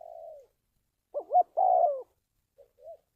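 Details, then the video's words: Spotted dove cooing as trapping lure: a trailing falling coo, then two quick looping notes and a long drawn coo, followed by soft faint short notes. "tiếng chim cu gáy luyện mồi kích bổi"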